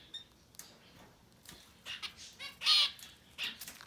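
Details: Society finch chicks up to ten days old, fast-growing babies, giving a few short buzzy, rasping cries that come in quick bursts and swell into one louder, longer harsh note before a final brief call.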